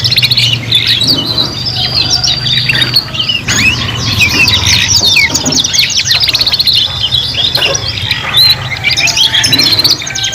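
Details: Three juvenile canaries learning to sing in chorus: long streams of rapid rolling trills and sharp high chirps, phrases overlapping almost without pause, over a faint low droning hum.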